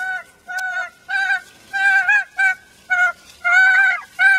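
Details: Mad hen recorded through chicken wire inside her pen, upset on return to the flock, uttering loud honking, goose-like squawks, each roughly a quarter to half second, separated by brief pauses.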